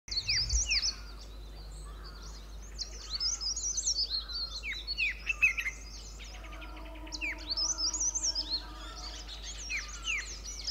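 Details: Pair of White-cheeked Bulbuls perched on a shrub in a sanctuary at Pari Tibba, Motidhar, calling: bright whistled notes and quick downslurred phrases, with other birds chattering densely alongside and a low steady hum.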